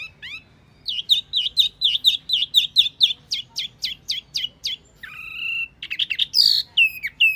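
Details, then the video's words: Wambi lure call: a fast run of about fifteen high, sharp chirps, several a second, then a few varied whistled and buzzy notes. "Suara Pikat Burung Wambi Mini"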